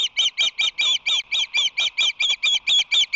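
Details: Osprey calling at its Whirley Crane nest with a visitor present, March 22, 2019. It gives loud, harsh, squawky high notes repeated steadily, roughly thirteen in three seconds, each slightly slurred. Faint lower clatter sits beneath.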